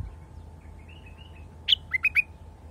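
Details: Wild bulbul: a soft, faint whistle, then a sharp, clear phrase of four quick, bubbly notes at the end, over a low constant hum.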